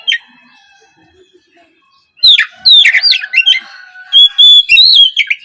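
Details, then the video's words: Morning prompt song of an Oriental magpie-robin for young untrained speckled birds: after a quiet start, a lively three-second stream of loud whistles, downslurs and clear held notes. "Cocok untuk pancingan Kacer trotol bahan agar lekas bunyi di pagi hari!"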